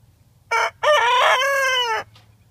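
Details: Rooster crowing in the morning: a brief opening note, then a long, strained, harmonic-rich crow that holds level and fades after about a second, over a low steady rumble.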